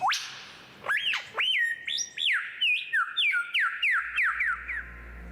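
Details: Superb Lyrebird in an Australian forest mimicking other birds, such as a kookaburra: a quick run of loud, pure whistles that sweep up then level off, shifting pitch and style every half second, over a faint low hum.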